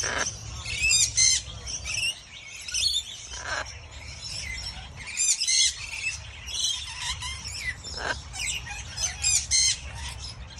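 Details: Harsh, rasping squawks from a baby macaw sharing its brunch with a friend, repeated in short bursts every second or two, mixed with high chirps from other birds outside.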